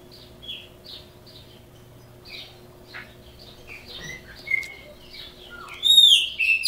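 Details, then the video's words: Caged chopi blackbird from Brazil giving scattered soft chips and short whistled notes that build into a louder, bright, ringing phrase near the end, with a low constant hum in the background. "Pássaro Preto Criôlo Canto"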